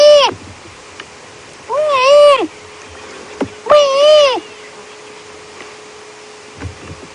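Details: Greater blue-eared starlings calling at Djuma Game Reserve, late afternoon of 12 May 2016: three nasal, drawn-out calls, each rising then falling, about two seconds apart, over a steady low vehicle engine hum.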